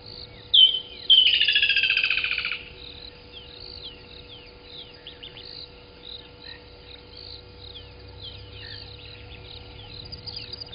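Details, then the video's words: A Woodland Kingfisher sings at 05:29 in the morning on 12/18/20 at Gowrie dam waterhole, Djuma Game Reserve, Sabi Sand, South Africa: one sharp high note, then a loud, fast trill sliding slightly downward for about 1.5 seconds, other birds chirping faintly behind. "Woodland Kingfisher singing in the morning"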